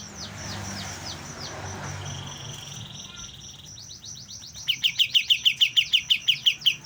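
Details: A young white-shouldered triller learning its song: a few soft, thin sliding notes and a flat whistled tone come first, then a fast series of sharp, clipped chirps starts partway through and runs to the end.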